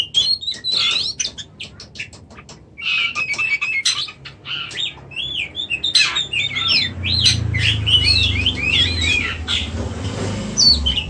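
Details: Kept white-rumped shama in Indonesia singing a busy, continuous medley of clicks, buzzy notes and twisting whistled phrases, with low background rumble.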